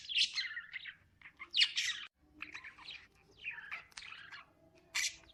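Lovebirds chatter in harsh, high, scratchy chirps, delivered in quick bursts about once a second with short pauses between.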